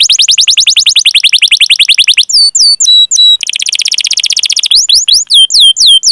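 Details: ['Domestic canary singing at length, used as a lure to prompt young, untrained or silent canaries to sing; rapid high rolling trills of repeated notes alternate with sharp downward-sweeping whistled chirps and a brief steady whistle.']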